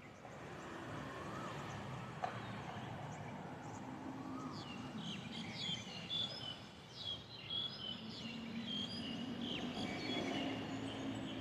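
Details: Morning in Bangkok: high, quick bird chirps and short whistled notes repeat through the second half, over a steady roar of city traffic; species unknown, recorded with a directional mic.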